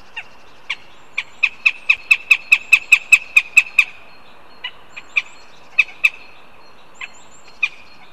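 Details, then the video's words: Northern goshawk begging at a nest in Riga, Latvia, on a live camera: a few spaced calls build into a rapid run of about a dozen strident, clipped notes, then scattered single yelps follow over a quiet background. "Goshawks Riga/BKUS ☆ Pērle begins with begging calls"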